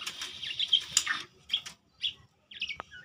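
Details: White-rumped shama of the Medan type, a singing songbird, delivering varied bright chirps and short whistled phrases in quick bursts, densest in the first second, then separate notes after brief pauses and a final sharp click.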